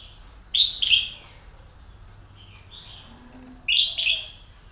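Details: Decoy red-whiskered bulbul used to lure wild birds sings two loud, quick, bubbling phrases about three seconds apart, with a faint low hum between them.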